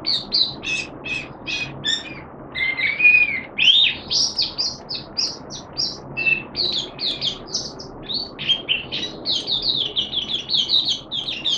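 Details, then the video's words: Caged Malaysian mata puteh (Oriental white-eye) giving a special song display, recorded 25 February 2023: continuous high twittering chatter of short sharp notes, with a few longer whistled slurs early on and a soft background hiss. "Malaysian Mata Puteh Happy Buka Sing"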